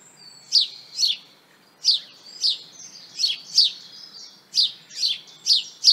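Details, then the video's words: Common garden House Sparrow chirping a plain, unmusical song: brief sharp cheeps repeated in an irregular steady series, some in quick pairs, around ten to twelve notes, with quiet background. "Le chant du moineau consiste en une suite de piaillements très brefs et peu mélodieux."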